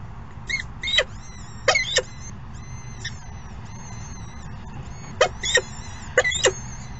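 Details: Peregrine falcon calls at the nest during late morning feeding, in clusters of two or three rasping, broadband bursts with pauses of a few seconds. Thin wavering whistles in between over a low, constant hum.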